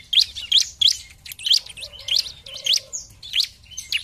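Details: Bar-winged prinia (ciblek) singing in an energetic gacor style, offered as a lure for rivals: loud, sharp high chirps repeated about every third of a second, with a faint low hum in the background.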